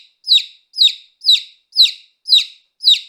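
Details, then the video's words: Baby chicken chick chirping: six clear, high, downward-sliding peeps, evenly spaced at about two per second, against a silent, clean background. "Baby Chick Chirping Sound Effect"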